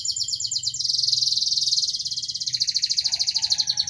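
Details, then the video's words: Local canary delivering a high, dense rattling trill that shifts into a slower pulsed roll, with a soft lower warble joining near the end. "Burung kenari lokal"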